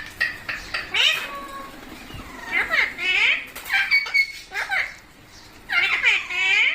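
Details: Green pet parrot, called mitthu, chattering with its owner in a small room: dense runs of speech-like squawks and sweeping whistled syllables, some overlapping, in steady bursts.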